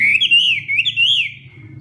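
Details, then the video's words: Hwamei singing a morning training song in the fighting-song style, with loud, clear whistled notes that slur up and down in smooth waves, then fade into a thin steady whistle. "Hoạ Mi Hót Đấu /hoạ mi hót sáng luyện giọng kich bổi sổ giọng chim hót hay mỗi ngày"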